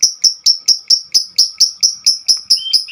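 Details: Female lovebird giving a long 'ngekek panjang' chattering song, also described as calling its companions: sharp, high, shrill chirps repeated steadily about four times per second, each with a bright overtone, with one lower whistled note near the end.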